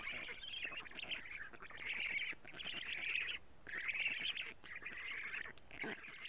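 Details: Estonia, 14 June 2017, 07:47: black stork chicks on a camera-watched nest as the female arrives with plenty of lampreys. Raspy, buzzing calls in bursts of about a second, separated by short pauses.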